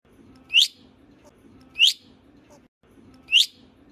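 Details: Budgerigars whistle and sing, giving short, bright, sweeping chirps, one roughly every second and a half.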